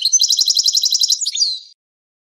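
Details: European goldfinch teaching song for young goldfinches and hybrids: a rapid, rhythmic run of high tinkling notes closing with a nasal, slurred flourish, under two seconds.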